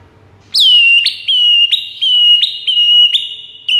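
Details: White-rumped shama master song for luring rival birds: a run of loud whistled notes, each starting with a sharp click-like onset and dropping into a steady tone, repeated about every half second.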